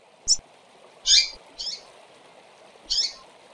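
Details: Double-collared seedeater females calling to stimulate males: four brief, harsh chirps spread over a few seconds, one a thin high tick and the others fuller buzzy notes, set against a steady background hiss.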